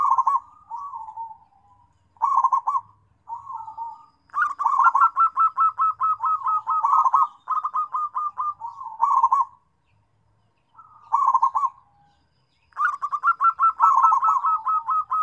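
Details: Local zebra dove calling for companions with repeated phrases. Soft introductory coos lead into long, rapid rolling sequences of pulsed mid-pitched notes, separated by short silences.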